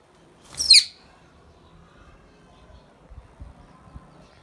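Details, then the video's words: Pet Indian ringneck parrot letting out one short, harsh, broadband screech, followed by several seconds of quiet room noise with a few soft knocks. "Indian Ringnick Parrot natural sounds"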